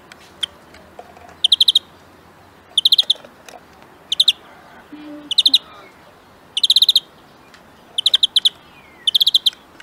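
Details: Steady series of short greenfinch trills, each a quick run of bright metallic notes, repeated roughly every one to one and a half seconds over a low background hiss.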